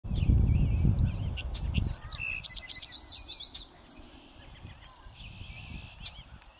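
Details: North American song sparrow singing on a northern USA prairie on a windy day: opening clear notes followed by a fast buzzy trill, over heavy low wind rumble early on.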